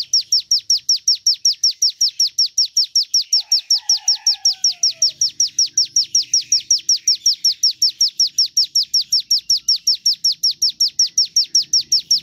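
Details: Ciblek gunung, the Javan tesia, pours out a long run of piercing down-slurred whistles at a quick, regular pace, roughly 2.7 per second; a soft lower whistle briefly sounds behind it.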